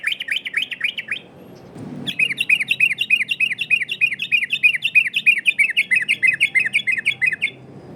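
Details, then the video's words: Rapid ropel variasi of a yellow-vented bulbul, used as a lure: a short burst of quick chirps, a brief pause with a low thump, then a longer even stream of bright, repeated double chirps. "Burung trucukan Ropel variasi!!! Dijamin nyaut trucukan dirumah!!!"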